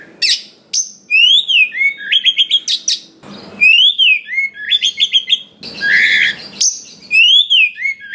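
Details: Oriental magpie-robin from the wild singing a fill-rich song used as a lure to make others sing. Arched whistled slurs followed by quick rising notes repeat, broken by a brief harsh burst near the end.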